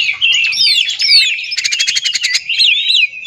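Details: Song of an oriental magpie-robin, used to provoke others to sing. Flowing, high whistled phrases are broken midway by a rapid, buzzy rattle of about ten clicks, then more looping whistles.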